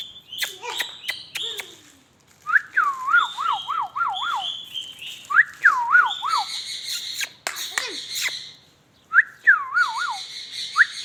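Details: Talking ringneck parrot giving bursts of wavering, warbling whistles, each dipping and rising several times in quick succession, interspersed with sharp clicks and harsh, buzzy screeches; short silent gaps separate the phrases.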